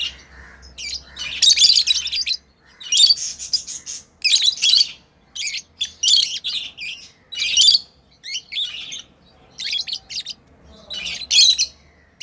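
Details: Lovebirds kept as pets chirp during play, with clusters of harsh, high, squeaky notes coming in uneven bursts every second or so across the whole stretch.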